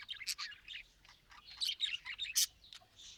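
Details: Budgerigars raised in captivity chatter in high, rapid chirps and scratchy squeaks, with one loud sharp note near the end of a steady twittering warble.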